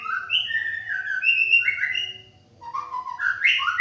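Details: White-rumped shama singing: loud, clear whistled phrases, sliding notes stepping up and down between low and high pitches, a brief pause mid-clip, then a rising run of whistles, with faint low background hum.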